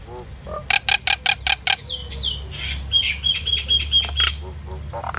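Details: Common myna in song: six loud clicking, rattling notes in quick even succession, a pair of downslurred whistles, then a series of harsh repeated notes with a steady high whistled tone, and low background rumble.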